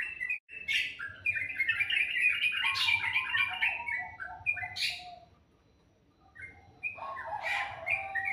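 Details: Birds in the morning: dense overlapping chirping and whistled notes, a loud burst of chatter, a near-silent pause, then a fresh flurry of calls with sharp high chips.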